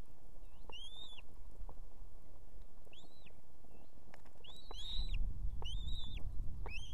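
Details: Osprey female on her Estonian nest beside two chicks calls for the male to deliver food: a series of about six arched, piping whistles, evenly high and clear, with a low rumble rising in the background toward the end.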